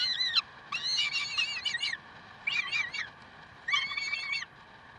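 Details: Peregrine falcons at Karlsruhe, 30 May 2010, 7:27: harsh, wailing harmonic calls in four bursts, a short note and then three longer stretches of rapid, slightly wavering cries with pauses between, over a faint steady background hum.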